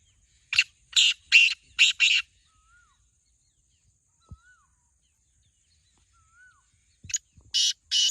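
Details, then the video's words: Black francolin kept by its owner utters harsh rasping notes in quick succession, pauses while a distant bird gives soft down-slurred whistles, then resumes the grating series. "Black Teetar Voice/Kala Teetar ki awaz"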